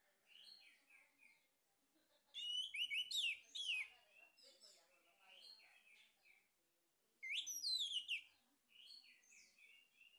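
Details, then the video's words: Male orange-headed thrush singing, a lure recording to stimulate other birds to sing. Loud, rich bursts of fast, sweeping whistles and trills come twice, with long stretches of quiet, varied twittering between them. "PANCINGAN ANIS MERAH JANTAN PALING POPULER"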